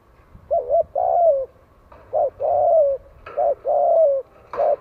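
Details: Lure call of a spotted dove from Vietnam, used to draw in wild doves: repeated mellow coos, short notes alternating with longer drawn-out falling ones, delivered steadily with little pause between phrases.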